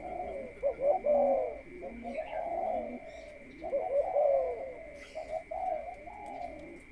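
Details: Captive spotted dove, prepared for pairing in a breeding cage, uttering long, warbling coo phrases of low mellow notes with brief pauses, over a continuous thin humming tone.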